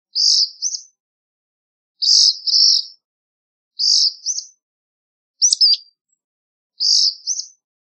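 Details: Black phoebe song: five high two-part phrases, a buzzy burst followed by quick thin upswept notes, repeated roughly every one and a half seconds, one phrase a sharper descending variant.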